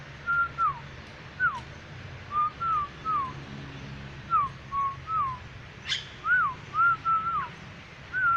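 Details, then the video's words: Black-winged myna with a yellow crest singing briskly: repeated arched and downslurred whistles in clusters of two to four, roughly every second or two, with one brief sharp click midway and low background hum. "Burung Jalak Putih gacor"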